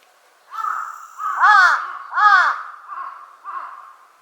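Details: Large-billed crow calling at Konuma lake: a series of five hoarse caws, the middle two loudest and harshest, the last ones softer and shorter, with a faint high steady tone at the start.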